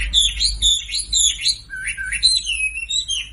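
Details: Sumatran leafbird song played to draw silent birds into song: fast, twisting whistled notes looping up and down in a bright, fluid warble, with a lower, slurred passage in the middle.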